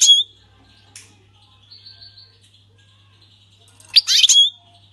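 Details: Syrian goldfinch, its song hailed as the 'king's language' sung without faults; a short chirp, faint thin notes, then a louder twittering burst ending in a brief whistle.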